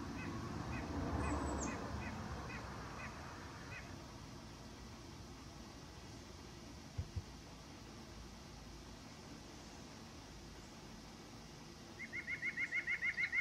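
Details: White-breasted nuthatch voice: a slow string of separate nasal notes spaced under half a second apart, then quiet, then a fast, loud, even run of similar notes building at the end. Faint low background rumble.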